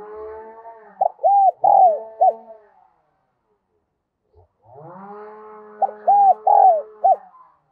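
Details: Caged decoy spotted dove, Đồng Son voice style, cooing to lure wild doves. The same phrase is heard twice: three or four crisp arched coos, the middle one longest. Each phrase is led in by a low humming harmonic tone.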